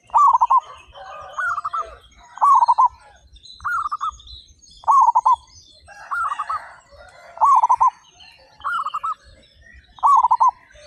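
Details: Zebra doves of local stock, 35 birds singing loudly and actively. Eight pulsed, trilling coo phrases come about every 1.3 seconds and overlap from different birds. Soft twittering sits in the background.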